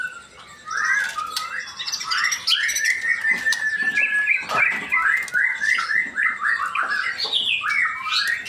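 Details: Male white-rumped shama from Indonesia singing a loud, continuous run of varied whistled and chattering phrases, sliding notes that rise and fall quickly, with sharp clicks scattered through the phrases.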